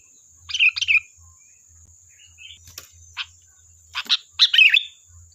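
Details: Lively sooty-headed bulbul used as a lure for a reply: a pair of quick chirpy whistled notes, a short soft call, then a burst of clipped notes and a slurred whistled phrase at the end, with a faint constant high tone.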